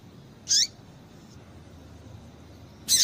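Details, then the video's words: Female double-collared seedeater calling to excite males: two short, sharp, high chips, one near the start and one at the very end, separated by a long quiet gap with faint background hiss. "Piado de Fêmea de Papa capim Para Esquentar Papacapim"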